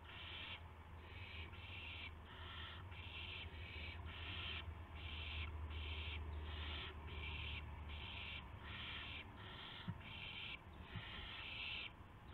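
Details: Owls at a nest at dawn on 26 March 2016, around 5:50 AM, as prey (a gopher and a mouse) is brought in; harsh, noisy hissing bursts about half a second long repeat roughly once a second over a steady low hum.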